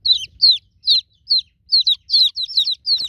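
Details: Loud, piercing peeps from newly hatched chicks calling for a broody mother hen, each note slurring downward, repeated roughly twice a second and sometimes doubled, over faint low rumble.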